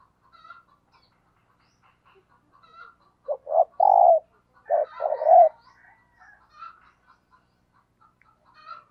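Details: Spotted dove used as a decoy, cooing in thúc gù style: a burst of short coos rising into a long hoarse coo, repeated once after a pause, amid soft chirps from other birds.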